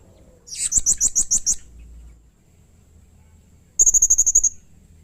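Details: Blue-crowned hanging parrot in full voice, giving harsh, emotional calls that make other hanging parrots respond: a rough burst of about eight shrill chips, a pause, then a rapid, thin, very high trill.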